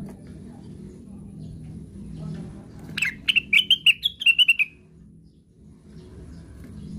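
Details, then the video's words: Cucakwilis cuckoo described as rambling as if talking in its sleep, in a classic singing style; a burst of about ten rapid, clear whistled notes, wavering then dropping slightly, lasting under two seconds amid low background hum. "KICAUANYA KLASIK....BURUNGNYA NYENTRIK...CUCAKWILIS SEDANG NGIGAU"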